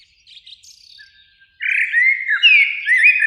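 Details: Common blackbird, one of two singing high in a springtime beech tree near a lake in the evening sun: a few faint high twitters, then a loud, fluty, warbling phrase of slurred mid-pitched notes lasting nearly two seconds.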